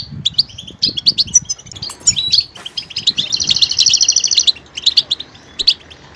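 A goldfinch sings a fast, tinkling run of high twitters and chirps. In the middle comes a drawn-out buzzy trill lasting about a second, then more bright chirps.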